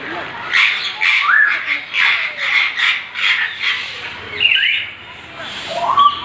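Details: A grey parrot in the bird house at Bannerghatta Zoo, mimicking songbird calls, gives a run of squawky, warbling notes with a few whistled glides near the end; other birds and faint voices sound in the background.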